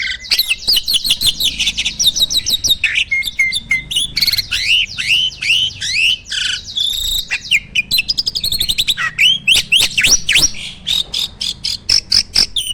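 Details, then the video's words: Long continuous outpouring from a farm-kept jalak starling in full isian song, rapid looping whistles, buzzes and chirps packed tightly with scarcely a gap. "Burung jalak gacor full isian!"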